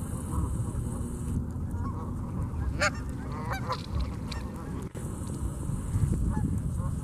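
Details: Canada geese at Memorial Park in Colorado Springs, Colorado: a few harsh, nasal honks stand out near the middle, some in quick pairs, above a constant heavy low rumble of background noise.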